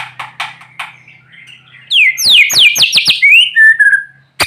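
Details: White-rumped shama (murai batu) singing while sunned in the morning, used to prompt quiet shamas to sing: soft chattering notes, then loud fast series of steep downward whistled sweeps and a level whistle, ending in a sharp click.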